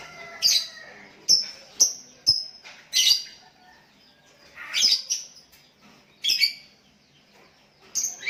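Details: Sooty-headed bulbuls exchanging calls, one calling a rival and others answering: clipped harsh chips and rasping bursts come in loose clusters with pauses of a second or two between them.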